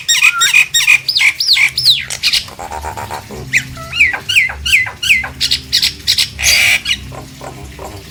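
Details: Nias hill myna, used as a lure to get silent mynas singing: dense, loud sequence of ringing, rising and falling whistles interrupted by harsh buzzy squawks, repeated almost three times a second.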